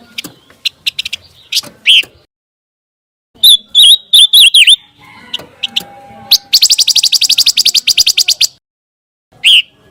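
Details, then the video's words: Scarlet minivet voice used to train competition white-rumped shamas. Scattered chips lead into a burst of sharp, upslurred whistles, then another bird adds a fast, even, buzzy trill before a final single whistle. "PANCINGAN SUARA BURUNG PANCAWARNA"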